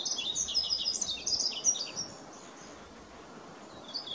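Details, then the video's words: Yellow-throated bunting singing to seek a mate: a quick high twittering phrase of short chirps and slurred notes lasting about two seconds, then quiet, with a brief new start at the end over steady outdoor background noise. "노랑턱멧새 짝을 찾는 울음소리"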